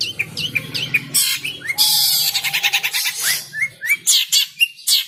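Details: Caged long-tailed shrike (cendet) that turns fierce when teased gives squawky harsh bursts, a quick buzzy rattle and scattered upslurred chirps, with low background rumble.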